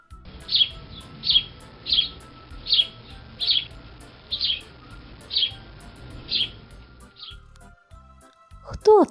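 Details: A House Sparrow, presented as a wintering bird of the winter forest, gives about ten short bright chirps, roughly one every 0.7 seconds, over a faint steady hum, ending with a brief voice.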